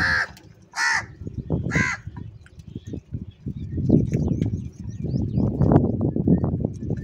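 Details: Crows fighting over food and eating cheese: three loud, harsh caws in the first two seconds, then a long stretch of low rumbling, thumping background noise with no further calls.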